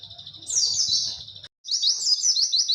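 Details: High, clear white-eye song of the 'witwit' style used to tutor other birds: a sweeping, buzzy descending phrase with low hum behind, a brief pause, then quick repeated falling chirps.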